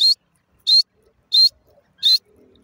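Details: Captive grey francolin, called Irani or desi teetar, giving loud, piercing, high-pitched notes, four of them spaced roughly two-thirds of a second apart, against an otherwise quiet background.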